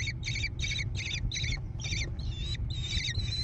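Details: American kestrel chicks growing in a gravel-floored nest box on a barn near Prairie du Chien, Wisconsin, USA, 14 June 2022. Harsh, raspy screeches come in quick bursts, about eight in three seconds, over a steady low hum.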